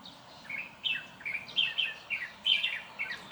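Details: Quick succession of bright, high, slightly descending chirps, uneven in spacing and loudness, growing stronger toward the end over soft background noise.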